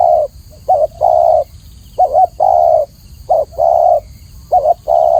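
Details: Spotted dove, Spilopelia chinensis, kept in Indonesia: low cooing phrases of a short hooked coo, a wavering double note and a long steady coo, repeated about every 1.2 seconds against a faint high steady hiss.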